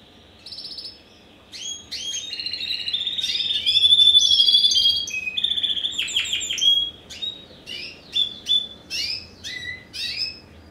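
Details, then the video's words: Captive-bred Spanish Timbrado x wild canary hybrid from 2015 singing varied phrases: ringing trills and a sustained metallic tone, then a series of separate sharp chirped notes spaced about half a second apart. "Timbrado Español x Serinus Canaria"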